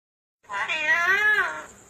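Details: Talking parrot copying human speech, replying in Punjabi: one drawn-out, voiced, speech-like utterance of about a second with a rich harmonic tone, rising then falling, and a faint steady high hiss in the background.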